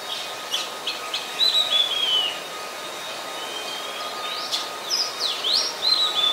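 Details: Oriental magpie-robin, a very common resident, singing in Ubon Ratchathani, Thailand, on 26 December 2020: varied clear whistled phrases, some rising and some falling, given in quick bursts over a steady thin background hum.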